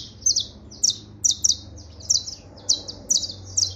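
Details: Canario criollo, the saffron finch, singing: paired high downslurred chirps repeated at irregular short intervals, with a low rumbling hum in the background.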